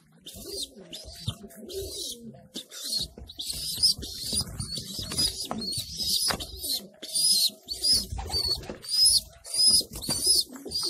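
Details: Homing pigeons inside their loft, with parents feeding newborn young: rapid, high, wheezy squeaks pulse in quick bursts over soft, low, wavering coos and scuffling.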